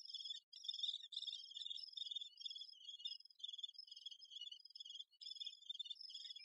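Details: Great spotted woodpecker occupied with its young. Rapid, scratchy high chatter repeats in quick pulses, more than twice a second, with a couple of brief breaks.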